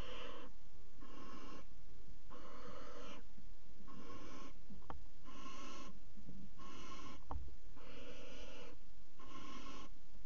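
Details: Barn owl at the Axel water tower nest box, pair mating on its edge, 5 February 2018: a steady series of eight raspy hisses, each about half a second, repeated roughly every 1.3 seconds.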